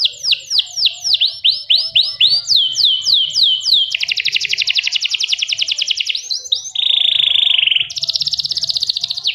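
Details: Clear-voiced canary singing as a training master for other songbirds: rhythmic descending whistled sweeps, switching to a rapid dense trill, then a flat buzzy rattle and another quick trill, all loud and varied.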